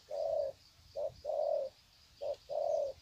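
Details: Trained spotted doves greeting each other with long cooing bouts, Sê San, 21 February 2020; loud, clear, low coos, a long note, then a short-long pair twice.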